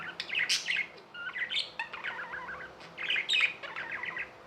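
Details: Budgerigars kept as pets give a lively warble of chirps, buzzy trills and sharp high clicks in several bursts, overlapping voices, with a low electrical hum in the background.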